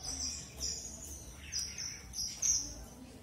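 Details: Red avadavat giving a thin, sustained, very high piping note broken into small bright flourishes, with a low background hum.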